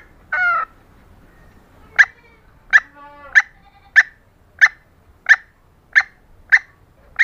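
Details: Calls of a female green junglefowl used to attract and arouse males: a harsher drawn-out note first, then a regular series of short clipped notes, roughly one every 0.65 seconds.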